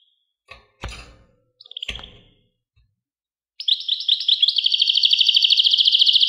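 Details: A few soft knocks and a brief chirp, then European goldfinch launching into steady, high twittering that builds into a loud rapid trill.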